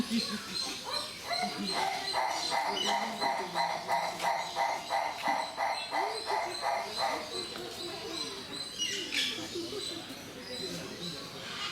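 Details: Livingstone's turaco at Mysore Zoo gives a fast, even run of hoarse, barking notes, about three a second, for several seconds; people talk in the background.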